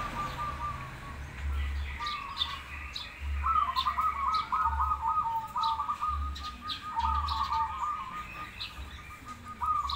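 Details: Zebra doves, a crossbred bird against a local bird, in a singing contest. Repeated rolling trilled phrases in a mid-pitched band come in bursts across the clip, with low rhythmic thumping and faint higher chirps behind.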